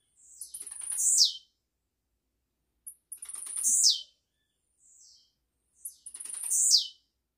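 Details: Live recording of a blue-black grassquit, made to tutor young birds. It gives three crisp buzzy song phrases about two and a half seconds apart, each a ticking run ending in a loud falling buzz.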